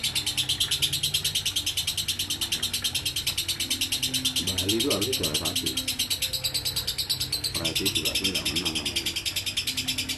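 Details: Lovebird singing in the 'ngekek konslet' style: a continuous, shrill, high-pitched chattering trill. It pulses about three times a second without a break, with a man's voice briefly speaking over it and a low hum underneath.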